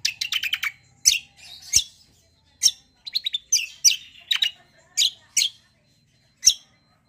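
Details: Long rolling song of a greater green leafbird imitating the kecial, used to make kecials answer straight away. A rapid chattering trill opens, then scattered loud high chirps and brief trills are spaced by short silences.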